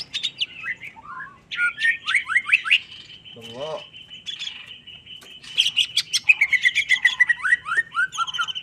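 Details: An agitated greater green leafbird in mental training pours out quick, sliding whistles and chattering notes at roughly four per second, with a brief lower warbling sound midway and a steady high tone running underneath.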